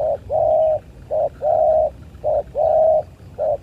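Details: Fighting spotted doves repeat a low cooing phrase, a short coo then a long level one, about every 1.1 seconds, clear against quiet background.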